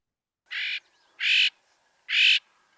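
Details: Northern Mockingbird, which repeats each phrase three or more times, gives a harsh, raspy, squawk-like phrase at least three times, each burst short and spaced under a second apart, with faint background noise.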